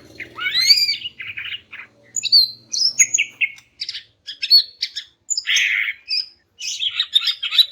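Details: Greater green leafbird, described as a female calling to males, opens with a looping whistled slur, then varied chirps, buzzy bursts and short whistles in rapid succession, with low hum early on.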